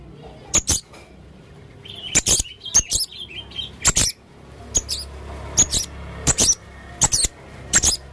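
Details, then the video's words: Male blue-crowned hanging parrot in lively song: loud, high sharp chips and squeaky doubled notes delivered every half second or so, mixed with brief twittering warbles, over a quiet hum. "burung serindit jantan gacor"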